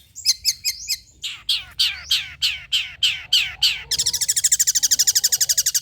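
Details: Long-tailed shrike song played to coax shrikes to answer: a short chatter, then about nine harsh downslurred squawks spaced a third of a second apart, ending in a fast buzzy rattling trill.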